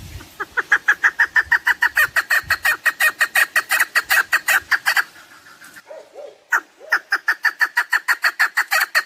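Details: Chukar partridge, hunting recording: a long, even series of harsh clucking notes, then a short pause with a few softer, lower notes before the fast chuk series starts again.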